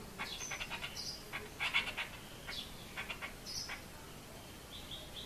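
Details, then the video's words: A chestnut-tailed starling behind a glass window gives quick runs of short, metallic chirps and a few higher squeaky notes, fairly faint against a soft background hiss. "Chestnut-tailed starling"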